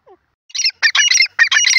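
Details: Francolin uttering loud, raspy, squawking bursts in three close groups, preceded by a faint short note.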